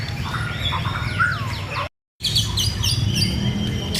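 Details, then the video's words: White-rumped shama singing: varied slurred whistles and a bending downward note, then a brief break, then rapid high chirps and stacked metallic notes over a low hum. "Murai Gacor MB Baron"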